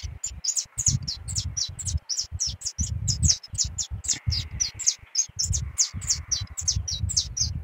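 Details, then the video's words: A canarinho pardo sings persistently, delivering rapid runs of bright, high, clipped chirps repeated several times a second, with a faint buzzy tone midway, accompanied by a steady low musical beat. "Canarinho pardo cantando muito"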